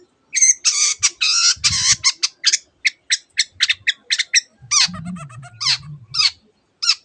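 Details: Long-tailed shrike singing a dense, rapid mimicked song with canary-like phrases and other birds' calls: harsh chattering bursts and sharp notes, then descending whistled slurs, over a low rumbling hum.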